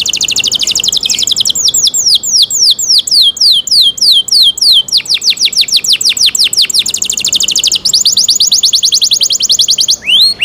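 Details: Cenkok-style canary song: long trills of bright descending whistled sweeps that speed up into a very fast, dense run, then end in a brief rising note.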